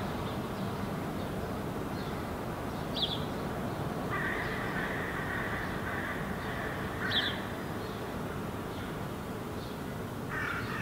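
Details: A Herring Gull fledgling standing in a park in Helsinki, Finland, in July, preening and gesturing, gives a few short, sharp notes and one long, thin, whining call held about three seconds, over a steady low rumble.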